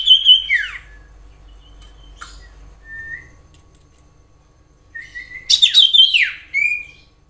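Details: Common iora whistling in the wild: a falling slur, faint level whistles in the middle, then a louder burst of rich rising and falling notes near the end, with quiet stretches between.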